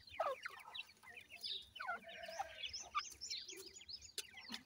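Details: Feeding grey francolin chicks calling their mother: many overlapping high peeps and quick slurred chirps, a few lower clearer whistled notes mixed in, steady busy chatter throughout with brief sharp clicks.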